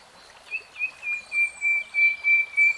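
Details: Common nightingale giving a slow crescendo of pure whistled notes on one pitch, each longer and louder than the last, with faint high twittering behind.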